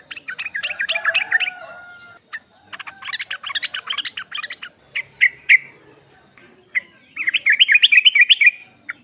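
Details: Female yellow-vented bulbul calling a male, used as a lure: dense, scratchy chattering runs and scattered bright notes, ending in a fast, even burst of chips, over faint background murmur.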